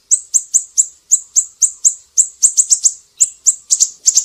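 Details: An actively singing siri-siri, kept as a master recording for training cage birds, gives a brisk run of piercing high ticks several times a second. Paired and tripled notes come toward the end, over a silent background.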